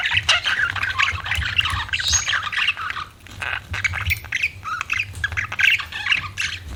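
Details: Budgies chatter with squeaky warbles and rasping chirps, steady and dense, over a noticeable low background hum.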